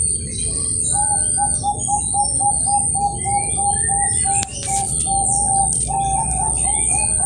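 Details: {'caption': 'Long running series of soft, rapid coos from a captive Bangkok zebra dove in Kroya, Cilacap, Central Java, sung in competition style, partly buried under loud background rumble, a steady high whine and a brief knock.'}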